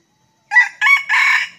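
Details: Red junglefowl at Sekampung, lured by a decoy during junglefowl trapping: a loud, close crow in three harsh, hoarse syllables, two short and one longer and drawn-out, over a quiet background.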